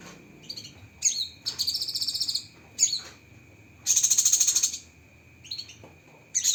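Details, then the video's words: Masteran of the Cucak kinoi with sharp 'tembakan' fill-in phrases: bright chirps and short whistled notes alternating with bursts of quick, high-pitched rattling trill. "Masteran Burung Cucak Kinoi Full Isian Tembakan Pedas"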